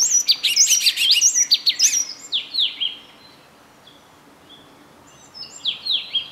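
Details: Yellow tit, captured on a Canon EOS 7D, gives a fast run of sharp, high chirping notes for about two seconds, falls quiet, then resumes with a few downslurred whistles near the end.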